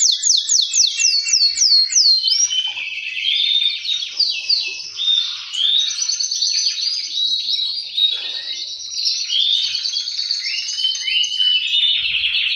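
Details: Several male canaries in full song, a strong singer with other males replying, noise intended to push birds to breed; opens with a fast series of descending whistled notes, then dense overlapping trills and warbles throughout.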